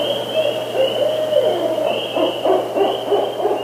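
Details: Barred Owl in the Eastern United States giving rich, wavering low hoots in quick, uneven bursts, with a steady high insect drone underneath.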